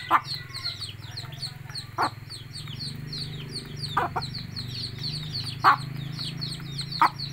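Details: A hen calling her chicks to eat gives short, low clucks spaced a second or more apart, while a steady chorus of high chirping insects or frogs and a low hum run beneath.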